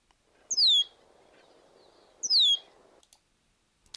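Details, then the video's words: A female Red-winged Blackbird gives its cheer call, a very simple, slightly down-slurred note meaning "stay away." Two sharp, high notes come about two seconds apart, with faint hiss and a few clicks between. "that is a female redwing blackbird saying stay away, stay away."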